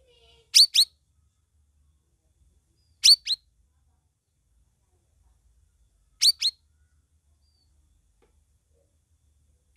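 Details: Grey-bellied bulbul song played to start other caged birds singing: a short, bright double note repeated about every two and a half seconds, three times, in near silence.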